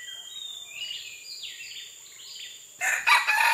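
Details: Red junglefowl recorded on June 12, 2011: a loud, harsh, broken crow bursts in near the end and is cut off, after a stretch of high, thin chirping and twittering from small birds with a steady background hiss.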